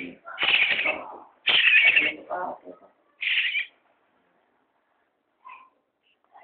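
A young common starling gives three loud, harsh, raspy bursts, each under a second, then fainter squeaks, with a person speaking quietly alongside.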